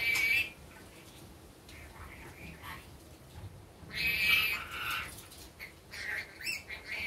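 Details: Kept rainbow lorikeet calling by day, opening with a shrill screech, then softer scratchy chatter and a loud extended rasping squawk midway, followed by several quicker shrieks.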